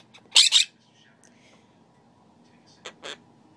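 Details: A pet male monk (Quaker) parakeet, apparently excited by a fly indoors, gives two loud, harsh squawks, then a softer pair a few seconds later.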